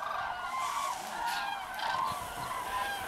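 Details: Common cranes flying to their roost, continuous overlapping trumpeting from a large flock, calls blending into a steady chorus with hiss in the background.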